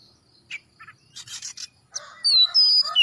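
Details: Oriental magpie-robin, song used to prompt other birds to sing: scattered harsh scratchy bursts give way to a loud held whistle and a descending slurred note near the end.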